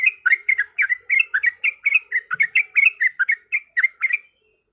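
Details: Yellow-vented bulbul lure song for fighting: about a dozen quick, bubbly two-part chirps in an energetic burst that stops abruptly, leaving silence.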